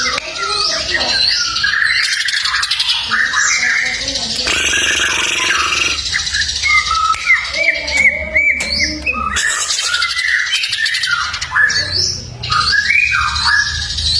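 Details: Greater green leafbird song in the full fill-in ('full isian') style of a masteran training recording: a dense, unbroken run of varied whistles, chirps, slurred rising and falling notes and short trills, with buzzy bursts mixed in.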